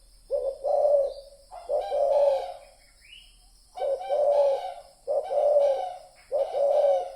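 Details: Spotted dove call used as a lure sound for trapping: loud, throaty two-part coos, a short note then a longer rolling croo, repeated about five times with brief gaps and a faint high chirp in between.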